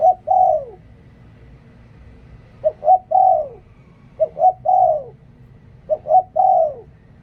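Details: Decoy spotted dove cooing in a steady series: four phrases of two quick soft notes leading into a longer downward-curving coo, separated by short pauses over faint low hum.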